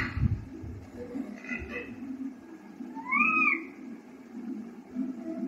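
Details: Baby parrot kept as a pet, at the stage of learning to talk, utters a single arched, rising-then-falling harmonic call midway, with low indoor hum and faint murmurs around it.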